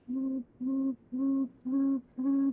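Tawny Frogmouth giving five low, even droning 'oom' notes, about two per second, steady and almost mechanical in tone.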